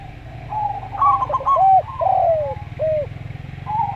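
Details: Local zebra dove singing in a slow style: bursts of quick staccato notes followed by slurred, down-bending coos, mixed with steady lower cooing and a low background hum.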